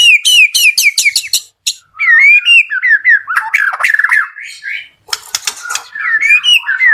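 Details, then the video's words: Active song from a white-rumped shama at a bird farm: quick run of sharp, high repeated whistles, followed by varied warbled phrases with harsh, buzzy notes and looping slurs. "MURAI BATU GACOR"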